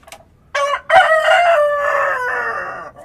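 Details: Dawn crowing from a rooster in the countryside: a brief first syllable, then a rich, loud, multi-part crow ending in a long sustained note that fades after about two seconds.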